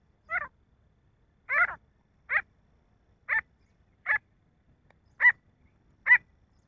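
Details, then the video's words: A male grey francolin (nar teetar) gives seven short, harsh, ringing notes, each stepping quickly downward, spaced about a second apart against a quiet background. "nar teetar ki awaaz titar ki awaaj partridge sound"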